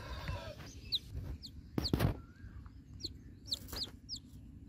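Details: Chicken chick in the egg calling to the mother hen, giving scattered sharp, high downward cheeps about twice a second, broken by loud tapping and knocking noises and a low murmur underneath.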